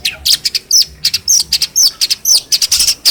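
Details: Hand-reared caged long-tailed shrike from Cilacap, trained with phone recordings to mimic other birds, delivering a rapid, uneven stream of sharp high chirps and short downslurred whistles, about two notes a second.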